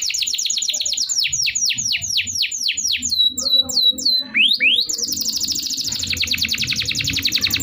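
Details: Canary song for stimulating birds that stopped singing: a series of sharp descending whistled sweeps, then looping upward slides, ending in a fast high buzzing trill.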